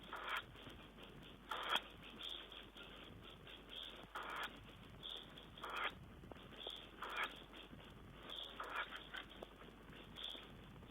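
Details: Tawny owl on 5 June 2010, giving faint, rasping hiss-like bursts roughly every one to two seconds against a steady crackling background hiss.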